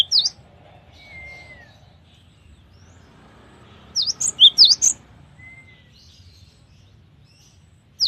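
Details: Varied cinereous tit song: a thin falling whistle, then a quick cluster of sharp, high, V-shaped chirps midway, with a single chirp at each end and a low background hum.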